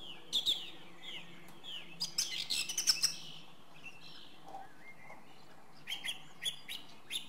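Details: Song thrush song: brisk, scratchy notes build into a dense, loud, chattering phrase, then a quiet stretch with soft background warbling before a fresh series of clipped, high notes returns near the end.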